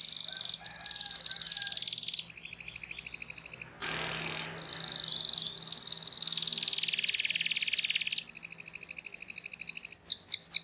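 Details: Canary singing a tutor song for young canaries: long rolling high trills held for seconds at a time, interrupted midway by a brief burst of broadband noise, then resumed, ending in a few rapid sweeping notes.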